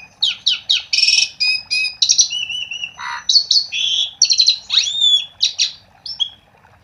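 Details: Asian pied starling song as a lure: loud rasping bursts, a noisy low squawk, long level whistles and steep upward sweeps, tumbling together in a dense, varied stream.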